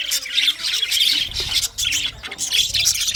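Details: English budgies chirping with rough squawks and thin twittering notes, a steady high chatter broken by one brief pause midway.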